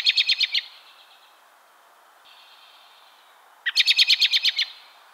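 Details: American robin calling in December, in an area where it is commoner in fall and winter: two quick bursts of about eight sharp, high notes each, rattled off in under a second, with a quiet pause between them.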